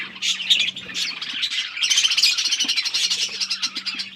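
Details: Budgerigars chatter while eating in a dense, scratchy stream of high chirps and squawks, several birds overlapping continuously, with a faint low hum underneath.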